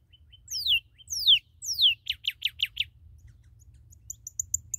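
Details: Northern cardinal in Spanish "cardenal rojo", newly captured, giving loud down-slurred whistles, three sweeping notes followed by a run of five short repeated chips, with faint high chirps afterwards.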